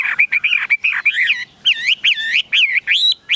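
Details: Captive Chinese hwamei, a tame cage bird, delivering a rapid run of bright whistles, first steady and clipped, then a series of looping rising-and-falling notes, with no other sounds.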